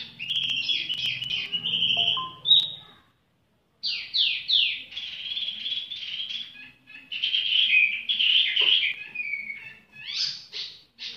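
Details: Leisurely song of a tiểu mi bird: high, lively warbled phrases with sweeping slurred notes and bursts of fast chatter, broken by a brief silence, with faint low background hum early on.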